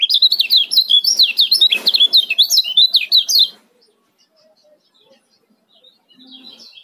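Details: Rapid, dense ciak chirping by a male kecial kuning, Lombok, used as a lure for birds that have stopped singing; high, sharply inflected notes run for over three seconds, briefly crossed by a noisy thump, then near silence.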